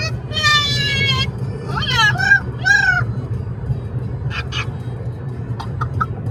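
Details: Amazon parrot calling during a car ride to a brewery: a long harsh, nasal squawk, then two slurred descending calls, followed by short chirps, with steady low road rumble beneath.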